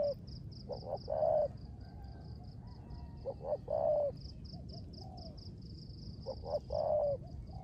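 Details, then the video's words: Spotted dove kept as a decoy bird, giving its rước gù cooing style in the rain: low cooing phrases of several notes, each group repeated about every three seconds, over steady rain hiss and a continuous high thin tone. "Cu Gáy || sở hữu mồi RƯỚC GÙ trong mưa"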